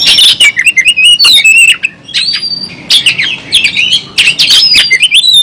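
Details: Loud, continuous song of an Oriental magpie-robin in fighting mood with its tail spread: rich whistles, trills and harsh chatters mixed in rapid succession, over steady low background noise.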